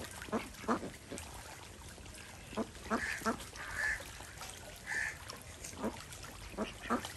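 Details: Indian desi ducks swimming in a pond on a village farm in India give scattered, nasal, buzzy quacks, singly and in pairs, with brief pauses and a faint hissing background.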